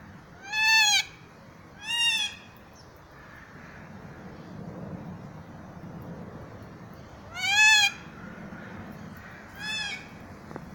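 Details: Kea in a zoo calling four times in two pairs: loud, nasal, slightly arched wails. A long quiet gap with rumbling background noise separates the pairs.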